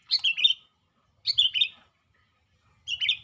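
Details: A sooty-headed bulbul kept in a cage sings actively, giving three crisp, bubbly whistled phrases with a falling ending, spaced just over a second apart with silence between them.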